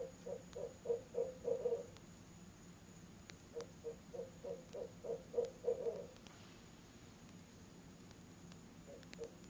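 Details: Pair of barred owls hooting together at a nest box on an October evening around 7 pm, apparently claiming it: fast runs of low, rhythmic hoots in two bursts, then quiet, then hoots resuming.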